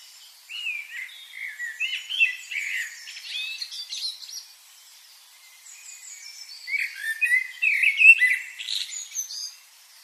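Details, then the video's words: Several birds chirp in rapid, overlapping high twitters and brief whistles, with two busy spells around a short lull. "birds chirping sound"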